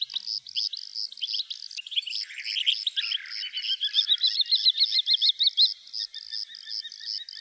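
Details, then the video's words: Calandra lark singing a fast, varied run of chirps, trills and scratchy high notes, with short buzzy and rattling phrases, over a steady pulsing insect chorus throughout. "Calandra Lark - Melanocorypha calandra"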